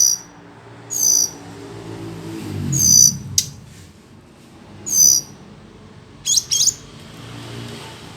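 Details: Hill blue flycatcher singing: sparse, brief high chirped and whistled notes in short bursts separated by pauses of one to two seconds, over a faint low hum.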